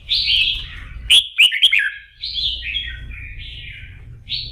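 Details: Morning voice practice of a red-whiskered bulbul being fired up for singing contests: a bright warbled phrase, a burst of three piercing clipped notes, then flowing, slightly falling whistles and a final rising phrase, with low background rumble.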